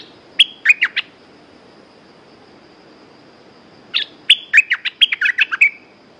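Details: Red-whiskered bulbul in a cage singing two phrases: a short burst of four chirped notes, a pause of about three seconds, then a longer jumbled run of bright warbled and whistled notes.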